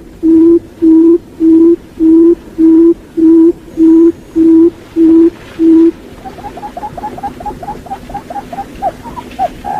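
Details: Quail lure call from Vietnam, used to attract birds: nine loud, even, hollow hoots, one about every 0.6 seconds, then a quick run of soft, falling chirps that ends in a longer whistle.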